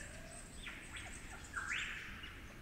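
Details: Superb lyrebird, a 'flute lyrebird' with the local accent of the cool, damp forests of the Werrikimbe Wilderness, New England Tablelands, New South Wales; soft whistled slurs falling and rising, ending in a brighter upward-sweeping fluty note.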